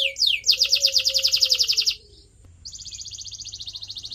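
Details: Canary song recorded for training pet birds: two slurred notes, then a loud rapid trill lasting about one and a half seconds, a short silence, and a quieter buzzy roll; a faint low tone runs beneath.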